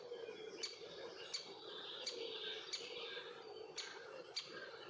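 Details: At a nest hole also used by bees in Puszcza Bydgoska forest, Bydgoszcz, a young male great spotted woodpecker with its mother; six sharp, clipped 'kik' calls about every 0.7 seconds above a steady buzzing hum, summer 2023.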